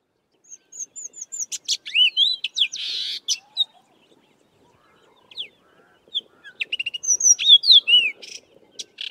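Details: Sabota Lark singing in the southern Karoo, a brilliant mimic though mimicking little here: long, rambling, melodious song of varied high whistles, sweeping slurs and buzzy notes in two bursts separated by a brief pause.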